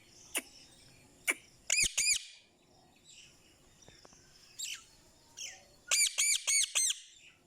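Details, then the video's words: Indian ringneck parakeet, an energetic pet talking parrot that speaks Urdu and Hindi, gives sharp clicks, then bursts of loud, ringing arched squawks in quick runs of two to four, with softer chirps between. "So Energetic Ringneck Talking Parrot"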